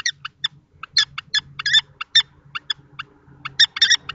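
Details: Common kestrels at a nest box in Théding, a young male and an older adult male clashing on 20 March 2024; sharp scattered harsh notes in short bursts, with faint low rumble beneath.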